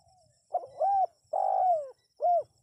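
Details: Spotted dove call played to attract wild birds: a short phrase of four hollow coos, the third note longest and slightly falling, over faint low background rumble.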